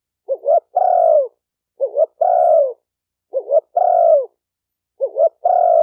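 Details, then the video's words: Spotted dove cooing played for training captive birds. Four evenly spaced phrases each have a short two-note lead-in and a longer coo drooping at its end. The recording is quiet and clean. "Tiếng chim cu gáy tập bổi chuẩn nhất chim hay"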